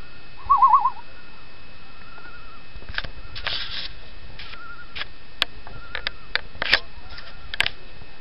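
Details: Very vocal loons heard on Chibiabos Lake in Algonquin Park during an evening paddle: one close, rapidly wavering tremolo, then several faint, farther tremolo phrases, mixed with sharp knocks and clatters from nearby.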